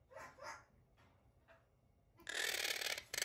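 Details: Pet monk parakeet giving threat calls, angry when its territory, especially the cage's bottom mesh, is disturbed: harsh, grating squawks, two quick bursts, two fainter ones, then a long rasping screech in a small room.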